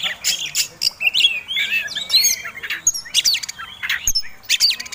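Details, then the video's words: Oriental magpie-robin, a contest-style fighting bird, singing to provoke other birds: loud, jerky bursts of scratchy chatter, clicks and twisting whistles, densely packed with short gaps. "Kacer Tarung Ngobra Ngotot Gayanya Eksotik Bikin Ngiler || Pancingan Mewah!!!"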